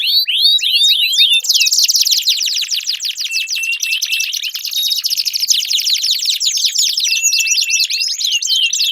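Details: Canary delivering long continuous song to encourage a quiet canary: a few swooping chirps, then an extended fast buzzy trill lasting several seconds, ending in mixed whistles and rattles.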